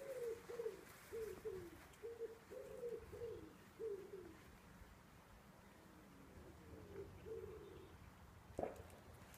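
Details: Wood pigeon in a garden, its song likened to 'take two cows Taffy', giving repeated low hoarse coo phrases in a steady rhythm, a pause, then a softer phrase, followed by a sharp knock.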